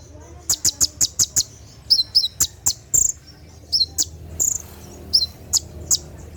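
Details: A brown-throated sunbird (kolibri ninja) sings 'tembakan' at night, opening with a quick run of about seven sharp high ticks, then scattered paired chirps and single piercing notes.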